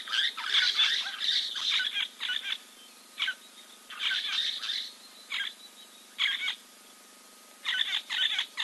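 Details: Giant kingfisher preening at Kings Camp waterhole, Timbavati Game Reserve, South Africa, 04.02.2024; loud harsh rasping notes in quick rattling bursts, separated by short quiet gaps.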